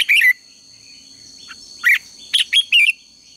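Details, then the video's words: Red-whiskered bulbul contest-style song: a loud slurred note opens, then after a pause a cluster of four quick, bright warbled notes, all over a faint constant high hum. "Luyện chào mào hót sáng | chào mào hót đấu"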